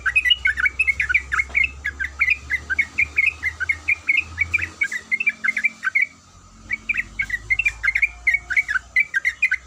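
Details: Long bout from a female sooty-headed bulbul calling a male: rapid chattering chirps for about six seconds, a short pause, then the bright warbled notes resume, over a low hum.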